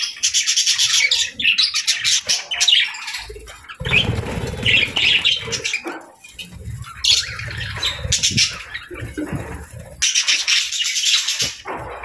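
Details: Budgies fluttering and exploring in the evening, with continuous raspy chattering and chirps in waves over twelve seconds, mixed with wing flapping and rustling bumps.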